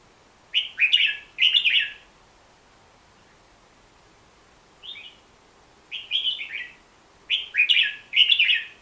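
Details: Hook-billed bulbul song in separated bursts of two to four quick slurred whistles, with gaps of one to three seconds between them. A single soft note sits in the middle, over a faint steady background hiss.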